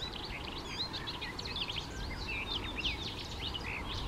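A male icterine warbler sings a fast, varied run of high whistles, slurred notes and chattering phrases, over a steady low rumble of background noise.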